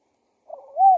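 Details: Spotted dove (tekukur) decoy call for luring wild doves: a single low coo, starting with a soft wavering note and swelling into a longer, louder level coo that ends abruptly.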